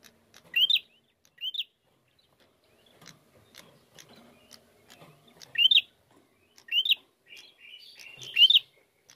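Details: Spaced loud upslurred notes from a bar-winged prinia, used as a lure to provoke singing; two early notes, a quiet gap with soft clicking, then a denser closing burst of rising phrases.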